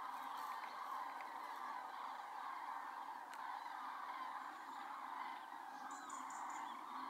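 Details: Flock of common cranes concentrating before their departure from the Iberian Peninsula, watched from a hide: a constant layered chorus of trumpeting calls from many birds, with a sharp click partway through and a few higher notes.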